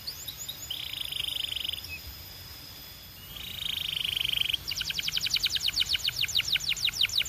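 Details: Belgian canary song with two sustained buzzy rolls separated by a short pause, followed by a fast series of repeated sharp descending whistles, about three per second, bright and high.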